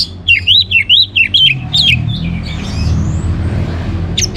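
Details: Orange-headed thrush in lively song, a fast run of looping, wavering whistles repeated about five times, then fading into rumbling background noise, with a sharp high note at the end.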